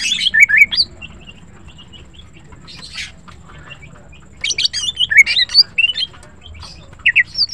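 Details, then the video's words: Greater green leafbird singing in the morning, with bursts of high warbled and squeaky notes, a quiet stretch, then a lively run of twisting whistles and chirps. "Green Cucak birds sing melodiously and are pleasant to listen to"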